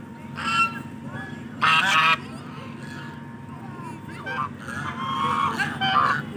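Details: Indian geese: scattered loud nasal honks, one burst near two seconds, later a run of harsh calls, over a steady low hum and a faint continuous tone.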